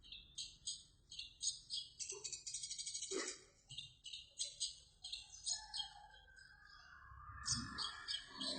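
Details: Long-tailed shrike singing clearly in imitation of a house sparrow: rapid bright sparrow-like chirps, about three or four a second, in uneven runs, with some quieter warbled notes and a faint low rumble beneath.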